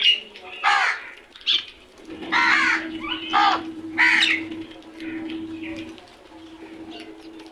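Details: Several crows making loud noises: a rapid string of varied harsh, croaking caws and raspy notes, about five in quick sequence, over a steady low hum, fading into quieter calls.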